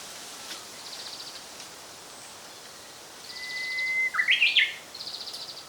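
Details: Japanese robin singing in 2014. A long, steady whistled note is followed at once by a loud, rapid rattling trill. Around it, other birds give faint, high, buzzy phrases in short repeated bursts over soft background noise.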